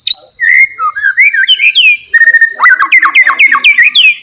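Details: Murai batu, the white-rumped shama, in full song to spur a quiet bird into singing: clear rising and falling whistles give way to a fast burst of bright looping notes and buzzy trills.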